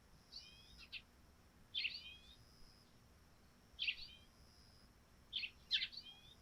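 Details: Sparrows on a dew-covered thatched roof in the morning give bright, scratchy chirps in short bursts, spaced one to two seconds apart, over a faint steady high hum.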